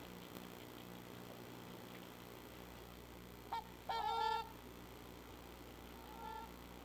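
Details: Trumpeter swan contact call, used by parents to keep the family together, especially as weather cools and they move to warmer feeding grounds: a brief honk, then a louder nasal horn-like trumpet, faint echo call, low background hum.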